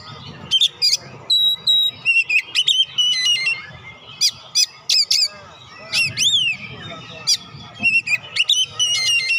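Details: Oriental magpie-robin in full, loud song, played to stimulate lazy magpie-robins into singing: rapid varied whistles, sharp rising and falling notes and short trills in dense bursts, with a low rumbling background.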